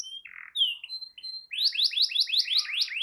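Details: Canary song for getting a silent canary to sing: scattered short whistles and a buzzy note, then a run of rising upslurred notes repeated quickly and steadily.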